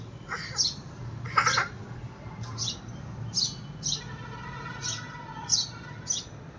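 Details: House sparrow calling out to another sparrow: short, sharp, high chirps given singly at uneven gaps, with a child's voice briefly audible in the middle and a low background hum.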